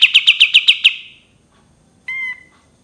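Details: Cream-vented bulbul ending a trill with seven loud, evenly paced notes, then after a pause one clear, flat whistled note.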